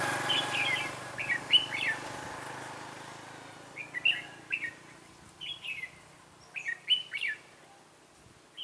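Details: Trainee decoy red-whiskered bulbul singing at a trap to draw in wild birds, 11 December 2016: quick chirpy, rising-and-falling phrases repeated every second or so over faint background rumble.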